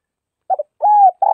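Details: A brief fragment of a Tây Bắc spotted dove's song: a stuttered double note and a smooth low coo, then the start of a burry coo as the clip ends abruptly.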